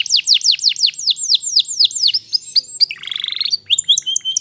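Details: Canary master song used to train pet birds, opening with a steady run of high downslurred whistles, then a short buzzy rattling trill and scattered high chips.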